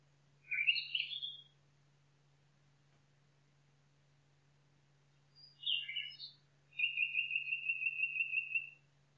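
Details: Nightingale singing in the forest: a warbled phrase, a pause of several seconds, a chattering phrase, then a long, fast, level trill lasting about two seconds, all over a constant low hum.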